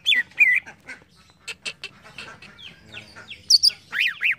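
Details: Green leafbird song used as training material for caged birds: varied loud whistled notes, arched and falling slurs around the upper-middle register, short clicks and chips, ending with rapid descending whistled swoops.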